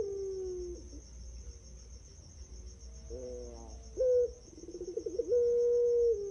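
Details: A pelung turtle dove, a champion singer whose song is used as a lure to prompt other doves to sing, gives low, hollow coos, some drawn out and steady, others short and wavering, over a constant high insect-like hiss.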